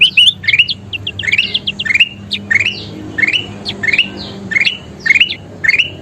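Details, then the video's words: Kutilang emas (bulbul) singing energetically, meant for training birds: a quick opening jumble of high notes, then rising whistled phrases roughly twice a second, with a faint low hum beneath. "SUARA KUTILANG EMAS GACOR PALING DICARI"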